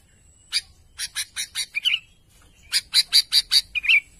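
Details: Sooty-headed bulbul calling out to its companions with rapid runs of crisp, high chirps, about five per burst, each run ending in a short slurred warble, two bursts separated by a pause.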